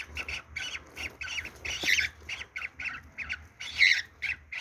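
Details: Cockatiel; mating call; courtship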